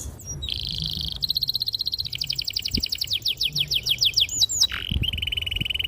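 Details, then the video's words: Canary in sustained song, a recording to coax young canaries into singing. A buzzy held trill runs into a fast rattle, then a chain of sharp descending notes, a whistled slide, and a final buzzy trill; faint low thumps beneath. "PANCINGAN KENARI GACOR PANJANG || PANCINGAN KENARI PAUD BELAJAR BUNYI || MASTERAN KENARI PAUD"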